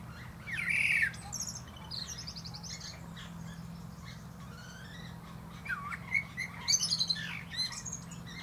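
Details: A common blackbird atop a plum tree opens with a loud whistled phrase and high squeaky twitters, then quieter scattered notes and a later warbled phrase with thin high flourishes.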